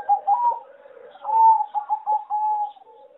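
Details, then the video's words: Farm-bred competition singing zebra dove, a line selectively bred for melody, with a song judged poor: mid-pitched trilled coos broken into short rattling bursts, a steadier purring trill closing the phrase, quiet room. "A lot of Zebra dove from many farms are not so good singing and worst melody"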